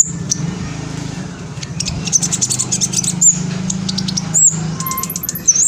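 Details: In East Java, Indonesia, a phone recording captures a young spotted black sunbird singing to provoke other birds. Quick, piercing, high-pitched chips and brief upslurred notes come in irregular bursts, while a constant low hum runs beneath.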